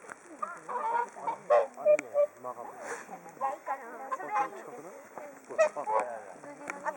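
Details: Whooper swan flock waiting for food at Hakuchodai Sebatto on Onuma and Konuma: rapid, goose-like nasal honks from many birds, overlapping in quick, uneven bursts about three per second, with a few louder peaks.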